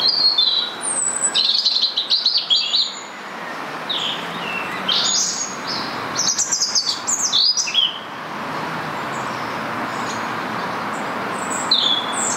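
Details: A rose-ringed parakeet in Stanley Park, Blackpool, seen there on and off for two to three months, gives harsh, shrill screeches in quick bursts through the first eight seconds, one more near the end, over steady hiss.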